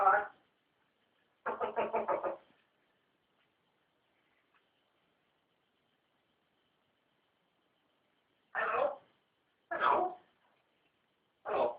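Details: Pet African grey parrot, newly acquired, talking indoors in a quiet room: five short harmonic speech-like bursts, one a buzzy rapid syllable run, separated by long silences.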